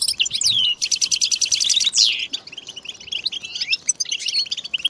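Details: Several European goldfinches singing together as mating and readiness calls meant to stir silent males to sing; fast liquid twitters, a rapid buzzy trill and a loud downward-sweeping note, followed by softer chattering.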